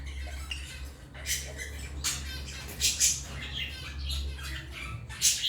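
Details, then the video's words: African lovebirds chirping: harsh, broadband squawks and chirps in irregular bursts, several loud peaks, over a steady low hum. "Love birds singing and chirping sounds| African love birds chirping sound"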